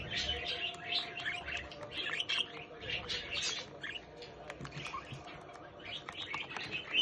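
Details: Budgerigar chick indoors, giving a continuous run of buzzy warbles and short chirps, loudest at first, then softer with clicks and faint low thuds.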